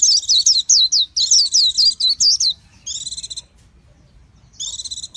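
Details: Japanese white-eye singing a rapid, high twittering run of slurred, rising-and-falling notes for about two and a half seconds, then two short buzzy, stuttered bursts separated by a pause.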